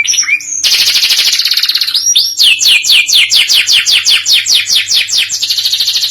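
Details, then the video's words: Canary singing vigorously in the modern cengkok style: a short whistled rise, then a dense buzzy high roll, followed by a run of rapid downward-swept notes about four per second, ending in another fast bright trill. "Suara kenari gacooor cengkok kekinian"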